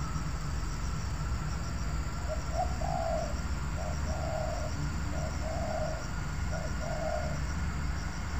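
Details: Repeated cooing from a spotted dove at an oil palm plantation where birds are being lured: four similar phrases, each a brief note then a longer soft coo, spaced about every one and a half seconds, with constant low hum behind.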